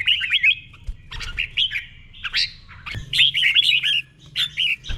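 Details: Red-whiskered bulbul doubled-style song for cage-bird copying, slow and clear. High, fluttering whistled phrases come in several short bursts across the clip.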